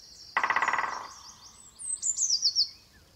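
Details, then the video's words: A harsh buzzy rattle lasting under a second, then a robin's very high, thin, quickly warbled trill phrase. "TV for cats with robin bird"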